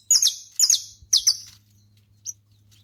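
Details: Saffron finch singing outdoors. Three sharp, high, piercing notes, each a bright burst falling in pitch, come about half a second apart, then a pause and one faint, brief note. A low, steady hum runs underneath.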